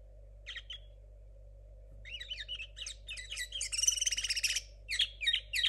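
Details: Young linnet hybrid hatched in 2022, a kept bird whose song is still muddled while learning: a brief two-note opening, a pause, then rapid high twittering phrases with a dense buzzy trill in the middle, over a steady low hum.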